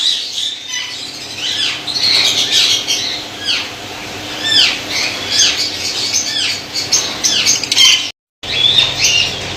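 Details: White lovebirds kept as a colony in Pakistan: a steady chorus of sharp, high, down-slurred squawks and chattering chirps from many birds at once, briefly cut by a moment of silence near the end.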